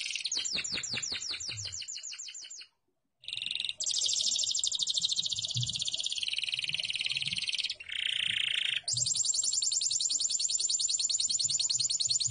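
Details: Canary singing 'gacor isian' style: fast ticking trill of sharp notes, a brief silence, then long harsh buzzy rolls and rattling trills that shift pitch, nearly continuous to the end.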